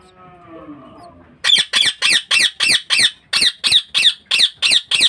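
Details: Indoor breeding-cage budgerigar: after a soft human voice, a steady run of about twelve loud, scratchy squawks follows, evenly repeated roughly three times per second.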